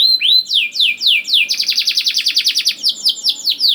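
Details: Canary song meant to get young canaries singing: a few slow looping whistles descend in pitch, followed by a fast rolling series of sharp downward notes and trailing chirps.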